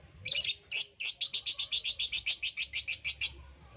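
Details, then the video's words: Shrill lovebird chirping used as a lure: a few harsh opening notes, then a fast, steady string of about eighteen piercing high chirps that ends abruptly. "pancingan ampuh love bird jadi bunyi"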